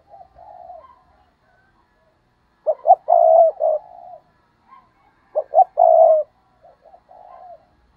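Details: Spotted dove decoy bird giving the stuttering 'gù cà lăm' coo to provoke wild doves: two loud phrases, each of two or three clipped stammered notes running into a long mellow coo, between softer low coos.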